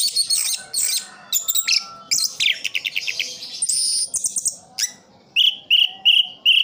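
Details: Full roll singing from an orange-headed thrush kept in Sidoarjo, East Java: crowded, jumbled high chirps and trills, then a clear rhythmic series of short repeated notes near the end.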